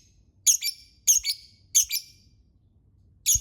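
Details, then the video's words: Lovebird giving shrill, squealing double notes, each a piercing chirp followed by a buzzier note. Three pairs come about every two-thirds of a second, with one more shriek at the end. "Suara lovebird"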